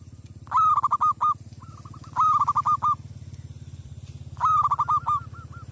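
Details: Zebra dove used as a decoy to provoke wild doves, calling loudly in three harsh, throaty bursts of rolling coos, each trailing into softer clipped notes, against a constant low mechanical drone.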